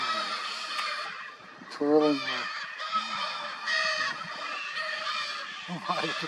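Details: Lear's macaws, endemic to Brazil, a pair mating near a nest platform with a possible young bird nearby, give harsh, nasal, honking squawks about every two seconds while a man talks throughout.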